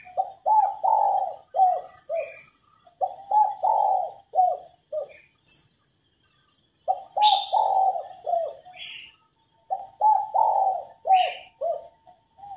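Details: Spotted dove hen calling to prompt males into song, giving three repeated low cooing phrases of several hollow, stepped notes across twelve seconds, with scattered brief high chirps from other birds.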